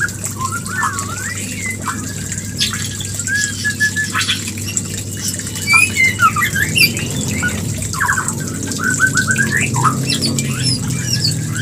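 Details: White-rumped shama mating call, used as a lure to bring birds into breeding condition; scattered whistled notes and short slurred phrases over a steady low hum.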